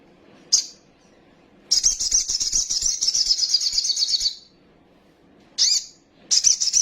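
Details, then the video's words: Agitated sunbird (sogok ontong) singing full song phrases. A brief sharp high note comes first, then a long run of shrill, buzzy, rapidly pulsed twittering lasting over two seconds. Two further short high bursts close the sequence. "PANCINGAN BURUNG KOLIBRI SOGOK OTONG BAHAN CEPAT EMOSI BUNYI FULL ISIAN SOGON NGELEPER"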